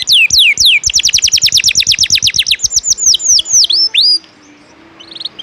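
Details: Sharp ngejos-style canary song used as tutoring material: three swooping whistles, a quick even run of descending chips, then slower dipping whistles fading to a faint buzzy note.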